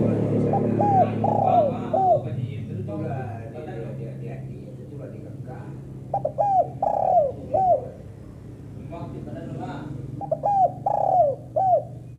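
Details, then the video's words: Female spotted dove repeating phrases of soft low hoots, each with a long note slurring downward, three phrases in about twelve seconds; human voices murmur underneath at the start. "burung tekukur betina"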